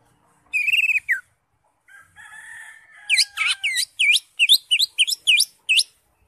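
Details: Greater green leafbird, crest raised, in gacor full isian style: a trilled whistle, a softer drawn-out buzzy note, then a fast run of about ten sharp hooked chirps repeated several times per second.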